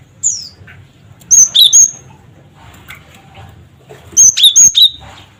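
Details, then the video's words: Cinereous tit lure call meant to prompt other birds to sing: a brief high squeak, then two bursts of crisp, high repeated chirps mixed with lower sliding whistles, separated by a quiet gap with faint background noise. "Suara Burung Gelatik Batu Cret Cret Wucit"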